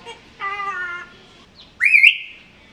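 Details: African grey parrot asking for food as it talks and dances; a flat, clear harmonic tone lasting about half a second, a pause, then a loud, bright whistle that sweeps upward and trails off.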